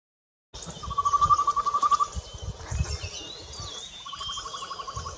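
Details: Slender-billed scimitar babbler at Mandala, Arunachal Pradesh, India, on 26 May 2019, giving fast trills of low, hollow notes, about a dozen in just over a second, then a second run. Faint high birdsong and a low rumble behind.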